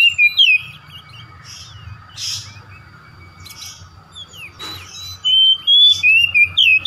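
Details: Song of an oriental magpie-robin, played to coax a domestic bird into singing its learned material: bright whistled bursts at the start and end, separated by quieter scratchy chirps and a constant low background hum.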